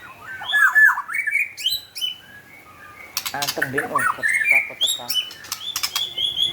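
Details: White-rumped shama in lively (gacor) song: rich slurred whistles and warbled phrases broken by a pause, then dense chattering notes mixed with sharp clicking sounds.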